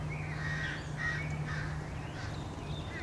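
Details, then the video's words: American crows chasing and attacking a bald eagle near its nest on 30 March 2016, a lot of crows following it: rough, hoarse caws in a rapid, uneven series over a constant low drone. "Crows attack"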